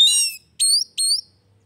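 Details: Oriental magpie-robin, a kacer whose singing has stalled, heard as three loud clear whistled notes: a long rich phrase, then two short upslurred whistles.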